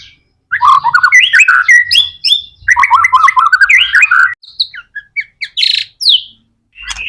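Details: White-rumped shama singing in loud bursts of varied whistles, rapid chirps and warbled phrases, then short separate high notes with brief silences between them.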